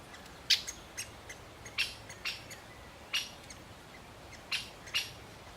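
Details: Great spotted woodpecker, a male feeding its chick, repeating a loud, sharp, high 'kik' every half second to second and a half, each note abrupt and clipped, with quiet surroundings.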